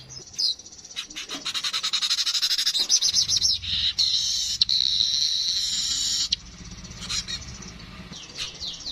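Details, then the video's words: Streaked weaver: a run of rapid ticking notes that builds into a long, rasping high buzz, then fades to scattered faint chips. "Burung Manyar kepala kuning suara asli"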